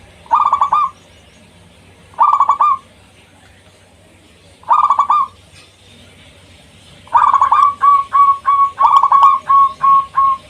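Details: Zebra dove lure song meant to provoke rival birds: three single short cooing bursts spaced about two seconds apart, then a longer run of rapid repeated coos near the end.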